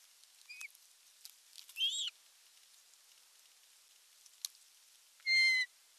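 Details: Osprey nest in Satakunta, Finland, July 19, 2022, male delivering a big fish: mostly quiet, with a tiny chirp, one brief whistled call near the middle and a single louder, clear, steady whistle at the end.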